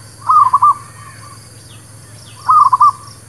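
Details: Zebra dove song used as a lure: two rapid trilled coo phrases about two seconds apart, the first followed by softer trailing notes, over a low steady hum.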